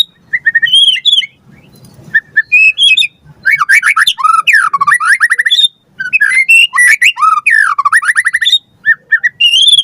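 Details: White-rumped shama song from a lure recording for captive birds: scattered whistled notes build into long, rapid cascades of rich warbling, twice, separated by a short gap.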